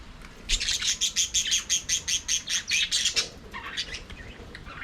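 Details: Budgerigars singing and playing in an aviary: a fast run of bright, high chirps, about a dozen sharp notes in three seconds, then a few softer twitters trailing off.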